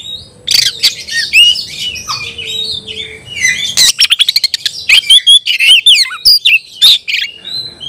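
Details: Oriental magpie-robin in ngobra konslet style song, shooting at an opponent in a contest: quieter warbling whistles give way to a dense rattle of sharp clicks and loud, slurred whistled phrases.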